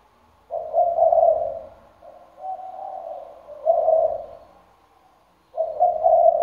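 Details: Decoy spotted dove with a full song repertoire and a deep 'thunder-bronze' voice, said to coo day and night; three linked mellow coo phrases, a pause, then the next phrase begins.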